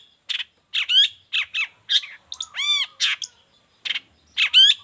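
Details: Actively singing long-tailed shrike, used as a master recording and to draw out other shrikes: grating chatters and squeaky notes, plus one drawn-out nasal, ringing note midway, delivered in spaced bursts.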